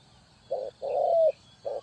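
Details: ['Spotted dove, played as a trapping lure, gives a short coo, then a longer slurred coo that bends upward at the end, then another short coo.']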